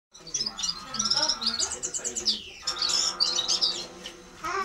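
A red-fronted serin sings a fast, high, tinkling twitter of bright chirps and trills, with a murmur of human voices underneath.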